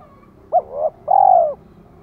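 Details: Female decoy spotted dove calling to stimulate males: a sharp short note runs into a softer middle note, then a long, bright, level coo that falls slightly at the end, over faint background hiss.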